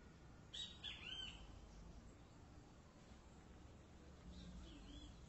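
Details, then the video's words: Short three-note phrase from a great kiskadee: clear, high, slurred syllables in a quick burst, followed by a fainter distant repeat against constant hissy noise. "CANTO DO BEM TE VI"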